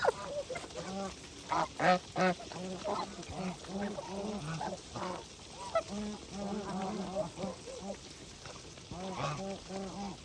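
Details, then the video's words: A group of feeding geese on a farm keeps up rapid, fairly regular short honks, about three per second at times, overlapping birds forming a steady chattering chorus. "Geese life with natural sound"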